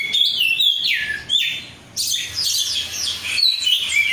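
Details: Oriental magpie-robin (kacer), a 'rudal Korea' cage bird described as gacor, gives falling whistled notes, then a short pause and a burst of rapid high chattering phrases.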